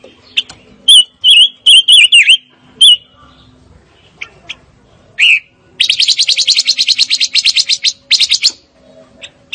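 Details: Fire-tailed myzornis singing: clipped whistled notes that dip and rise, then a quick run of rapid buzzy trilled notes, with brief pauses between phrases.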